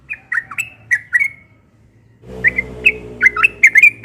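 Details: Yellow-vented bulbul in morning song, short liquid swooping notes in two bursts separated by a brief silence, the second burst overlaid by a steady low mechanical hum.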